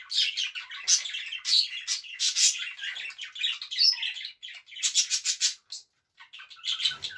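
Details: A pet budgerigar, Eva, singing while dancing, warbles nonstop in high, scratchy chatter, mixing rapid clicks, buzzy notes and bright squeaky chirps, with a brief pause near the end.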